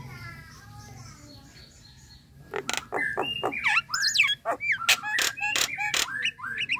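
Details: Relaxed Nias hill myna calling intended to get a bird to sing back: after a faint quiet start come loud squawks mixed with looping whistles and sharp rising notes.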